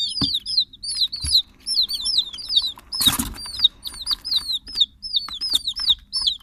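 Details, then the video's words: Continuous high peeping from a group of chicks, rapid curved notes repeated several times a second and overlapping, with a brief rough scuffing noise around three seconds and scattered clicks. "The sounds of chicks"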